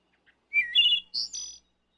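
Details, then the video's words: Wood thrush in woodland sings one brief phrase: a soft note, then liquid fluted whistles, ending in a high, shimmering trill, with a quiet background. "Wood Thrush Serenade"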